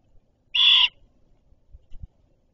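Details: At its nest, a female great horned owl arriving with food gives a single harsh, hissing screech lasting about a third of a second, followed by faint thumps and rustling.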